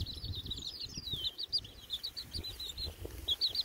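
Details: Baby chicks outside on a windy day peep steadily: high, thin, slightly wavering notes repeated several times a second in a continuous chorus, with soft wind noise low in the background.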